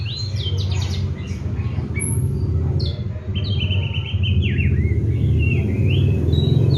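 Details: Active-singing Oriental magpie-robin, kept and fed seven crickets, bathed morning and evening: bursts of sharp chirps, buzzy trills and descending whistled slurs, roughly four notes a second, over heavy low-pitched rumble.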